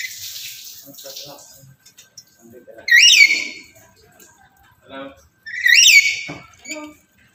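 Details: Black-capped lory, a male in breeding condition calling a female. Two strong, harsh, rising squawks about three seconds apart, preceded and followed by soft murmuring and chattering sounds.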